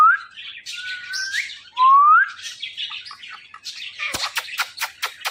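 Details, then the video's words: Indian ringneck parakeet, a pet parrot said to be talking: sharp rising whistled notes and squeaky chirps with throaty phrases in the first half, then a fast series of sharp clicks and taps near the end. "This Ringneck Parrot Talking Is Epic.!."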